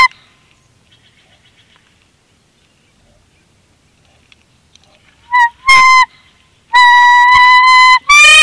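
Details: Bald eagles at a Big Bear Valley nest cam, 26 February 2021, during incubation of a second clutch as the female nudges the male off the eggs. After near silence, loud piercing squeals ring out, then a long, steady, strained chittering call.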